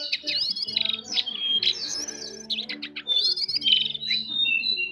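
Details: Actively singing jongkangan bird with fine, soft twittering: dense high chirps, quick trills and clear whistled notes in rapid bursts, with short pauses, against a faint steady low hum.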